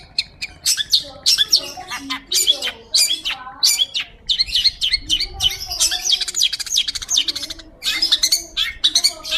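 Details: Actively singing long-tailed shrike, kept as a tutor recording for magpie-robins: dense, varied chattering of scratchy high notes and short slurred phrases with brief pauses, over a soft low background tone.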